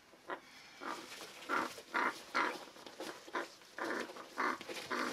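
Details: Hand-fed African grey parrot chick, eight weeks old, begging while being fed: a rapid series of about a dozen hoarse, nasal, grating calls, often paired, with short gaps, in a quiet room.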